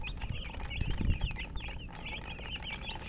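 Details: Chicken chirping in short, sliding high notes at an uneven pace, with a few louder low thumps near the middle and a steady low hum behind.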